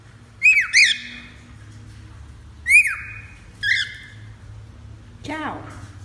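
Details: Cockatiel, a pet bird in a small room, giving sharp rising-and-falling whistled squawks in short bursts, three close together then a last harsher call after a pause; low hum underneath.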